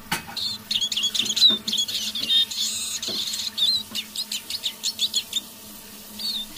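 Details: Eurasian siskin kept as a decoy, singing quietly in the evening: rapid high twitters and thin rising whistles in loose bursts, with scattered clicks and knocks, fading to a final brief phrase.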